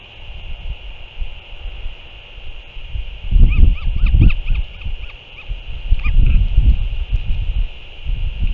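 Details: Northern royal albatross recorded 6 April 2024 as a parent returns and feeds its chick; a run of short, thin, arched call notes repeated rapidly for about a second, then a brief second burst, over steady rumbling wind and a constant hiss.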